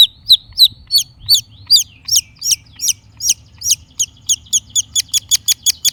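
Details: Long-tailed shrike in lively, gacor singing used as a lure for other shrikes: a fast run of high, sharp chirps, steady at first, then quickening into a tight series of short notes near the end.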